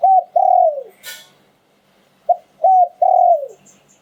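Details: Auspicious spotted dove delivering liu tan style song: two three-note phrases of soft cooing, the final note long and falling, with a brief rustling sound between them and faint high chirps.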